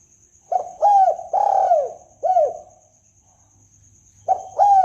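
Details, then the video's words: Spotted dove cooing played as a lure for trapping: several rounded, husky coos run closely together, a brief pause, then another pair of coos, with a constant thin high tone and faint low hum underneath. "pikat tekukur"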